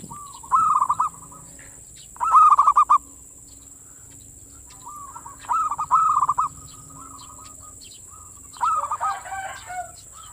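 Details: Zebra dove manggung song, used to bait all local perkutut and lift their breeding mood; four bubbly trilled coo phrases spaced a few seconds apart amid quiet, with a constant faint high hiss.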